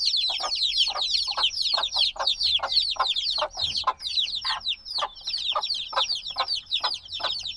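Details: Dozens of high, falling peeps from newly hatched black chicks pour out in an unbroken, busy chorus, accompanied by frequent short muffled knocks.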